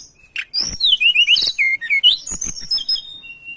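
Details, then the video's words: Loud, busy mountain tailorbird song used for luring, in lively 'gacor' style: a rapid stream of high whistled notes that rise and fall in quick succession, ending in a thin level whistle. "Suara Pancingan Ampuh Burung Tledekan Gunung gacor dor"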